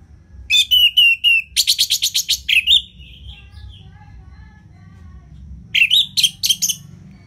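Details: Orange-headed thrush, ngeplong singing meant to get lazy birds singing. Rapid strings of sharp whistled notes, about four a second, then a sliding whistle and quieter warbling before another burst.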